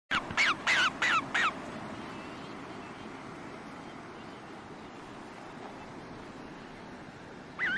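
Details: White-faced storm petrel (Pelagodroma marina), a pelagic seabird, giving four quick, harsh, rasping notes about a third of a second apart, then a steady background hiss with a final note at the end.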